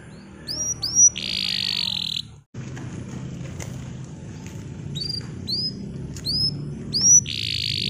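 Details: Bottle-green canary song used to teach young canaries; scattered upslurred whistled notes and buzzy bursts over a steady background hiss.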